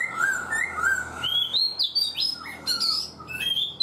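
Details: A four-month caged black-throated laughingthrush gives loud, fluty whistles. Short downslurred notes lead into long, high, steady tones and sharp upward sweeps.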